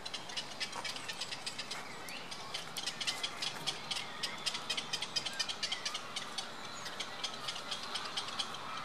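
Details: Black-crowned night heron chicks being fed keep up a dry, rattling chatter of rapid clicks, about two bursts a second, over a steady outdoor hiss.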